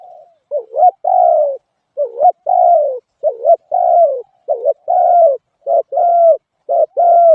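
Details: Spotted dove calling continuously: a run of soft hollow coos, each short upswept note tied to a longer falling one, coming faster toward the end, in a quiet setting.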